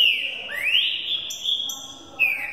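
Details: Young caged Green-winged saltator being trained for the 2018 season: clear whistled phrase, a note near 2.5k then a rising slur held as a long bright whistle, ending in a falling note; a man counts songs aloud.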